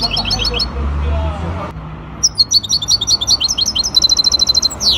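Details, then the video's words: Singing-competition hybrid goldfinch, Ain Chock association, 23 May 2021: quick twittering phrase, brief pause with low rumble, then a long run of bright repeated chirps speeding into a trill and a falling whistle. "مباراة تغريد هجين الحسون"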